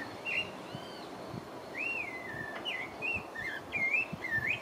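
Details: Pale-breasted thrush (Turdus leucomelas) singing in French Guiana: a run of short whistled phrases, some rising, some slurred down, given in quick succession over a soft background hiss.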